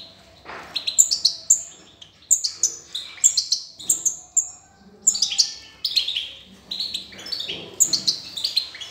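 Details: Recently fledged European goldfinch, recorded 18 June 2020, calling repeatedly: sharp, high tweets in clusters of two or three, about every second, over a faint low murmur.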